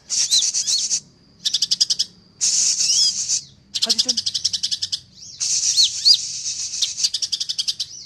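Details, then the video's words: Greater green leafbird (cucak ijo) in full song: very high, dense buzzy rattling bursts of rapid repeated notes separated by short pauses, with a few slurred whistles woven in; a faint low hum underneath. "Beretan Rapan Cucak Ijo Gacor l Spet Rapat"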